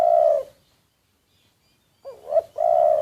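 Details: Spotted dove used as a decoy bird, secretly recorded: a loud drawn-out coo ends the first call, then a short rising note and another long steady coo after a pause.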